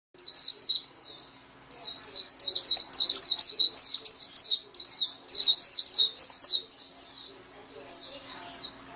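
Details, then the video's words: White-eye song: rapid, high, thin twittering phrases of slurred whistled notes, delivered in bursts separated by short pauses, about four notes a second, with a faint steady hum beneath. "SUARA MAHAL KICAU BURUNG PLECI"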